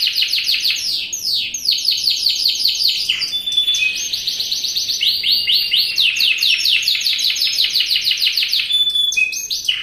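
A Yorkshire canary sings a loud, continuous song of rapid trills and chattering rolls, broken by a few pure whistled notes, with no other sounds.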